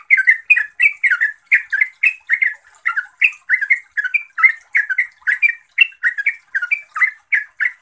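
A Yellow-vented bulbul sings a fast, bubbly stream of liquid, warbled notes, about three a second, with a faint high hiss behind.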